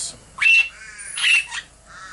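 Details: Young Princess parrots kept in a cage, December 17, 2017: two loud, grating squawks about a second apart, each rising sharply and breaking into harsh noise, with soft harmonic murmurs after.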